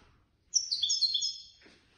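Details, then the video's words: Third-place competition European goldfinch from a contest run by a Casablanca bird lovers' association, delivering one second of fast, liquid twittering with stacked bright trills, ending in a soft rustle. "الحسون الفائز بالرتبة الثالثة في المسابقة"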